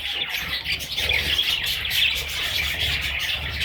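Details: Little parrot babies chirping steadily in a thick, high-pitched chorus of overlapping tweets over a faint low hum.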